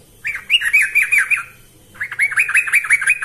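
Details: Two short bubbly phrases of rapid, bouncing chirps from a persistently singing yellow-vented bulbul, used as a training lure, with a brief silence between them.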